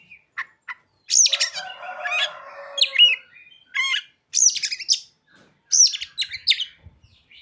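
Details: Oriental magpie-robin song with mimicked ciblek and sogon phrases: sharp high chirps, then a long buzzy rasping stretch, followed by bursts of rapid whistled notes separated by short pauses.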